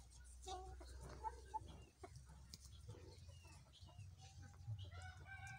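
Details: An old-bloodline peela (yellow) Aseel rooster gives short, harsh clucking notes and a brief crowing phrase near the end, over a steady low rumble and background noise.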